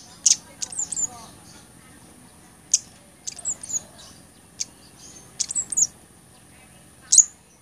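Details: Blood-breasted flowerpecker, recorded to tutor songbirds and lure birds: sharp high ticks mixed with short thin slurred twitters in small clusters, irregularly spaced, over a faint steady high-pitched whine.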